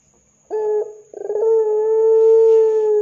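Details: Ringneck dove calling in the 'gacor dor' manner as a lure for other doves: a brief low note, a pause, then a quick rattling run that settles into a long, smooth, unwavering low coo.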